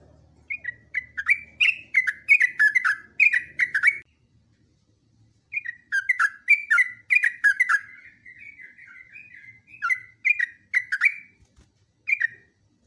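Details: Long continuous yellow-vented bulbul song meant for training other birds, given in two bursts of rapid, bright whistled notes separated by a pause of over a second, the second burst running into a warbling chatter.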